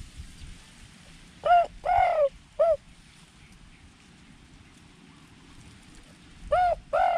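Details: Spotted dove in the wild at a drinking spot near a mung bean field, calling from a fair distance: short falling coos, three spaced notes then a pair after a pause, over a low rural hum.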